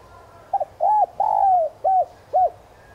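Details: Spotted dove cooing in the standard 'giọng son' voice style, a lure bird used to provoke wild doves into calling. A short double note, then two drawn-out arched coos, then two clipped arched coos, all low and mellow, over a quiet background.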